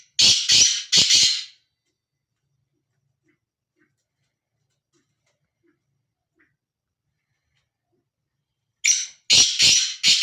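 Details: Free-roaming male black francolin giving harsh, grating notes in two bursts: three rasping notes, a long silence, then four more in quick succession.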